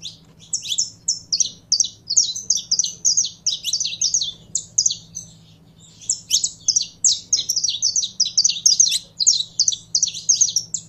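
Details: Captive Saffron finch warming up: dense, rapid trains of high, sharp chirps in rhythmic bursts, a short lull around the fifth to sixth second, then equally fast notes again, with a low hum behind.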